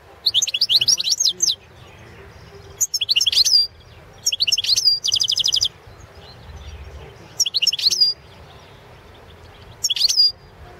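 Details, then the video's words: European goldfinch of the subspecies carduelis balcanica, competition entry for the 2017 World Championship in Goldfinch Song under Serbian association rules: six bursts of rapid, high twittering and liquid trills, each about a second long, separated by short pauses, over a quiet background. "World championship in Goldfinch Song"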